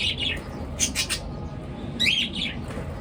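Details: Pet birds chirping in the morning; a few brief chirps at the start and a bright twittering burst after two seconds, over a steady background hum.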